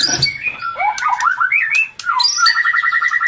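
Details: White-rumped shama, a female in breeding condition, her calls used to stimulate males, feeding its chick: a tumbling run of slurred whistles, then a steady string of rapidly repeated paired notes.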